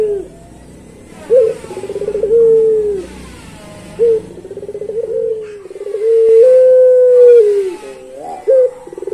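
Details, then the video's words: Barbary dove of the pelung long-song type: sharp opening notes, then fluttering pulsed coos and a long, even, drawn-out tone, the phrase repeating twice. "Puter Pelung Suara Panjang"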